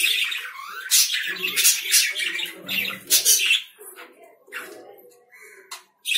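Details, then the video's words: Several loud, shrill lovebird screeches come in quick succession, some with a falling squeal, then fading to scattered thin chirps. "Love birds sounds"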